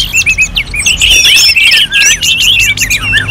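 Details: Short burst of loud, dense song from a caged orange-headed thrush in North Bali, tightly packed whistled slurs and trills delivered without pause.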